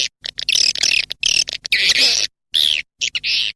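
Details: Swiftlet calling sound used to attract swiftlets, edited together from cut segments: bursts of high, dense twittering chirps broken by abrupt silent gaps, with bright whistled notes inside the chatter.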